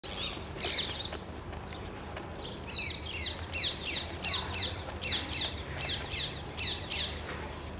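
A Palestine sunbird gives a run of high, thin, sharply descending notes, about one every half second, with a brief twittering burst before; faint background hum.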